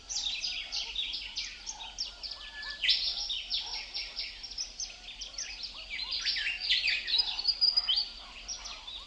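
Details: Birds chirping as wind stirs the leaves: a dense, busy chorus of sharp high chips and quick clicking notes overlapping continuously, with a soft low rumble beneath throughout.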